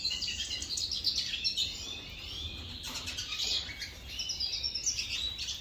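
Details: European goldfinch calling while feeding, a busy stream of high, tinkling twitters and short liquid notes that rise and fall, with a faint low rumble of background noise.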